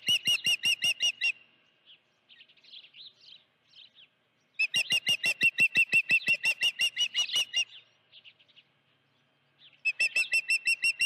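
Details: Osprey at its nest with a live fish on 16 June 2019, mid-afternoon: loud bursts of sharp, high whistled chirps, about three per second, in runs of several seconds separated by pauses with softer, fainter chirps.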